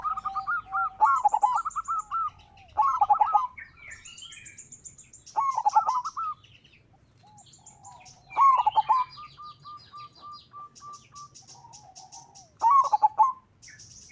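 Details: Zebra dove of local stock, sung as a lure that draws other doves into song: repeated phrases of rolling, stuttered coos separated by quieter runs of even notes, with thin high twittering from other small birds throughout.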